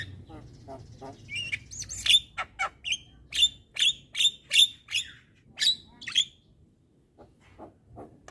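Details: Young Javan myna chattering nonstop while nodding; loud harsh squeaky notes repeated roughly twice a second, then the series fades into soft scattered clicks.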